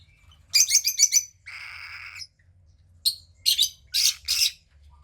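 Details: Pied cockatiel pair's captive second chick, a grey-plumaged female about 15 days old; a quick series of gritty high chirps, then a drawn-out hoarse hiss, then more loud raspy chirps in rapid succession.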